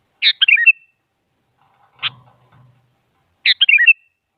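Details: Sooty-headed bulbul singing, a recording used to draw silent bulbuls into replying: two bright, bubbly phrases of tumbling whistled notes about three seconds apart, with a single sharp click and a faint low rumble between them.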